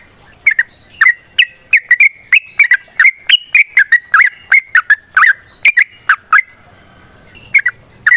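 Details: Trucukan, the yellow-vented bulbul, in natural long rapid song used to lure birds into singing: quick strings of bright, slurred chirps repeating steadily, a short pause near the end before two more notes.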